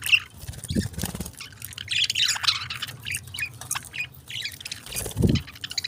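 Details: Budgerigar chatter, a warbling stream of squeaky high chirps that swells in the middle, with a few low thumps and a constant faint hum beneath.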